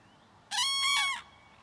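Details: Common cranes early in the morning, a family with a juvenile following its parents, giving loud cries to draw attention; one strong, harmonic-rich trumpeting note lasting under a second, with a short break midway.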